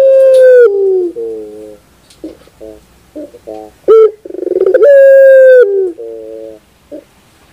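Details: Puter dove song played as sound therapy: loud sustained coo notes held steady, then dropping, followed by lower buzzy coos and a fast rolling stuttered phrase, repeated in a long pattern.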